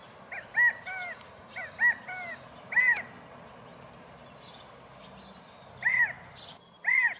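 California quail calling with loud, nasal, arched notes in quick groups of two or three, repeated several times over a steady background hiss.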